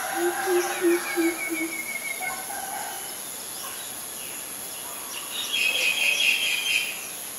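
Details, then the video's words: Greater coucal, Ubon Ratchathani, Thailand, May 22, 2022, filmed with a Nikon P1000: a short run of low, hollow booping hoots at the start, followed by other birds' whistles and a burst of high trilling chatter. "นกกะปูดใหญ่ , ນົົກກົດ (Greater Coucal )"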